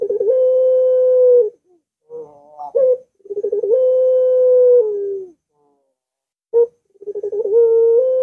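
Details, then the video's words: Puter dove repeating its long coo to encourage a lazy dove to call: each phrase opens with quick rolling pulses, holds a level low humming tone, then dips slightly at the close. "Puter Macet Puter Malas Bunyi Langsung Ngaut"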